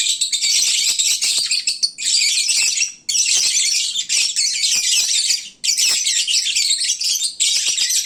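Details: Lovebirds, caged, calling noisily at midday when full and sleepy, like a bird market: dense, continuous high chattering and shrill chirps from many birds, broken by brief pauses.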